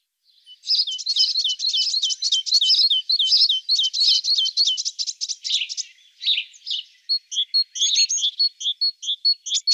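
A great tit gives a fast, scolding chatter of high notes for about six seconds, then breaks into scattered, sharp chirps.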